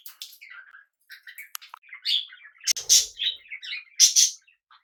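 Budgerigar chatter: a run of quick, scratchy chirps and warbles with harsh buzzy bursts, high-pitched and irregular, lasting several seconds indoors.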